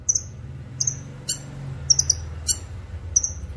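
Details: Short high cucak kinoy notes, for training and luring: sharp twinkling chips and brief whistles repeated roughly every second, over a low rumbling hum in the background.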